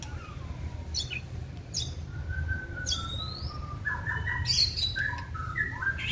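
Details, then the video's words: Caged wild-caught white-rumped shama in its second season, a bird that sings eagerly when stimulated and fans its tail. It gives clear whistled notes, a long level whistle, then a varied burst of bright, jumbled phrases, over low background rumble. "Chòe lửa siêng tạch chơi đuôi bung xòe kích là hót"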